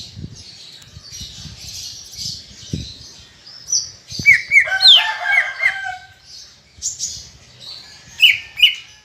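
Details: Greater green leafbird in full song, played to stimulate other leafbirds: a high chattering warble with a dense burst of harsh mimicked notes in the middle and sharp whistled upslurs, plus soft low thumps.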